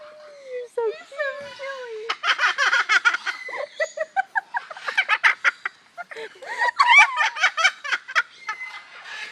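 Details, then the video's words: Captive umbrella cockatoo at Parrot Mountain in Pigeon Forge, Tennessee, mimicking people's laughter: a drawn-out descending whoop, then bursts of rapid staccato ha-ha syllables with harmonic, voice-like tones. "Laughing Bird"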